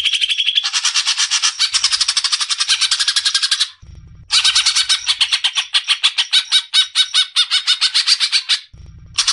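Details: Cucak ijo, or greater green leafbird, chattering hard to wake up a young learner bird: long, dense bursts of harsh, rapid buzzy notes lasting several seconds each, separated by short pauses with a faint low hum.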